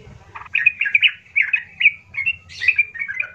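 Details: Yellow-vented bulbul in loud gacor song, a rough lure for provoking other bulbuls; a quick string of bubbly, liquid notes about three a second over a faint low rumble.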